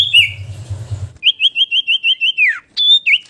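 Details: Common iora song in a chattering variation: after a low rumbling hum, a bright whistled phrase of about nine quick, evenly spaced looping notes, ending in a falling slur and a short sharp whistle.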